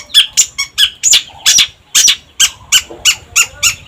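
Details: Energetic long-tailed shrike song meant to stir other birds: coarse, squawking notes delivered about three per second, each rough and buzzy, in an uneven rhythm.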